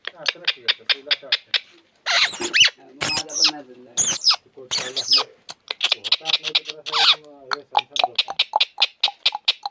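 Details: Village pet parrot in Konkan, aged over 25 years, makes rapid ticking clicks broken by loud harsh, speech-like squawking bursts, then more steady clicking.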